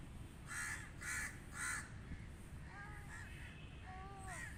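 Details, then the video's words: Three loud, hoarse crow caws spaced about half a second apart, followed by softer slurred whistles from other birds over steady low background noise. "Crow Calling | Crow Cawing Sound Effect"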